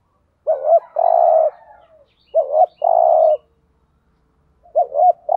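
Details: Spotted dove cooing, used as a lure to attract wild doves, with male and female voices described: a short wavering double note followed by a long steady coo, the pattern repeated three times with pauses.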